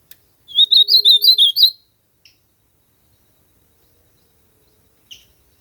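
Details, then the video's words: Ultramarine grosbeak song: a clear run of about seven rapid, looping whistled notes lasting just over a second, with a low hum beneath, then a couple of soft isolated chips in silence. "AZULAO CANTANDO MUITO NA NATUREZA ESQUENTAR SEU AZULAO COM ESSE CANTO"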